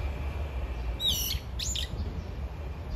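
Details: Brown-eared bulbul calling anxiously for its mate: two loud, harsh, screechy notes in quick succession, each sliding downward with a rich ringing overtone, over a steady low rumble of background noise.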